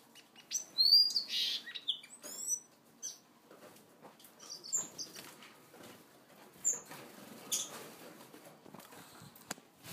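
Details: Blue Gouldian finch feeding and interacting: bursts of very high, thin chirps and quick down-slurred whistled notes, clustered in the first seconds and then scattered, with soft rustling and wing flutters between them.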